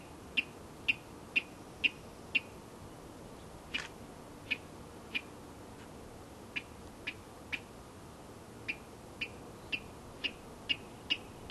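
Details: Male Virginia rail giving courtship call at pond and wetland edge near Marys River Natural Area, Corvallis, Oregon: sharp, dry ticking notes, about two a second at uneven pace, over soft wetland hiss.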